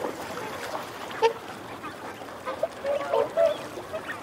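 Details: Mixed wigeon calls from males and females, a string of short low clucking and growling notes, clustered near the end, amid a steady murmur from the flock.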